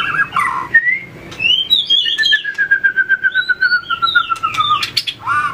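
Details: Trained white-rumped shama singing its fighting song while flicking its tail and hopping between perches: short rich notes, then a long pure whistle gliding slowly downward, ending in a rising flourish.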